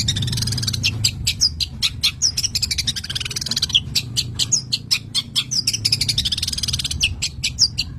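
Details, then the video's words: Long-tailed shrike in an excited state, a fast run of sharp high chips and short scratchy notes, with brief slurred whistles mixed in, over a steady low rumble of background noise. "OVER BIRAHI"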